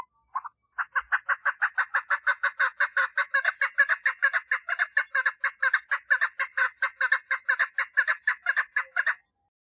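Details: A female chukar partridge calls for a mate with a long, fast, rattling train of gravelly chuk notes lasting over eight seconds, after a couple of isolated opening notes.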